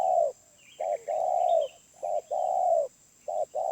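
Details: Wild spotted dove with a mid-pitched voice, described as 'suara menengah', giving low cooing phrases: short notes followed by long, slightly falling coos, repeated in steady sequence, with faint chirping of small birds above.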